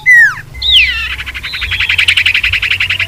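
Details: Common iora lure call used to attract wild birds: two loud down-slurred whistles, then a rapid, steady trill of buzzy notes fading slightly over about two seconds.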